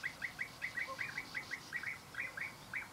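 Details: European bee-eater uttering quick, burry, rolled notes repeated about every quarter second in a steady rhythm, each note a short downward-curving trill, over a quiet low background hum.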